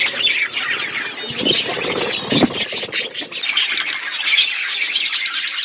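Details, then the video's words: A flock of budgerigars chatters while eating food, a dense warbling blend of chirps and squawks layered over one another, with a low thud near the middle. "Beautiful budgies flocks birds eating food birds chirping sounds"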